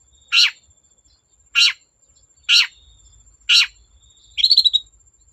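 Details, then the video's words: Long-tailed shrike sounds meant to provoke other shrikes to sing: four grating rasps about a second apart, followed by a quick trilled chatter. "Burung cendet gacor Bikin cendet bahan terpancing ikut gacor"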